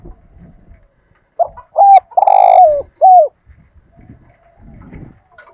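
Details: Spotted dove urging coo, a lure for training decoy birds: one phrase of a short note, a clear coo, a long rough rolling coo and a falling last coo, set against low rumbling background noise.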